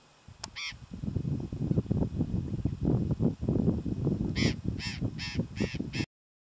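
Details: Burrowing parrot (Cyanoliseus patagonus patagonus), southern San Luis, Argentina, July: harsh, grating screeches, a single call then a quick run of five about half a second apart, over heavy low wind rumble.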